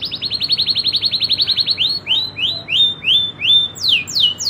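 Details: Indonesian local canary singing in a rolling manner: a quick, even trill of short notes for two seconds, slowing into separate rising-and-falling whistles, with steep descending notes at the close.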